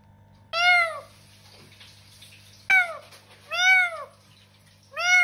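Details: Talking pet parrot indoors giving three loud, cat-like meow calls, each a short arched wail rising then falling, with a steady low hum underneath.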